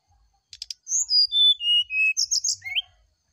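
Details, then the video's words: Brown-chested jungle flycatcher song at morning, meant to draw an answer: buzzy clicks, a cascade of clear whistles falling in pitch, then quick twittering notes and a rising whistle at the end. "TERAPI SRDC DI PAGI HARI ,PANCINGAB SRDC NYULING DI PAGI HARI"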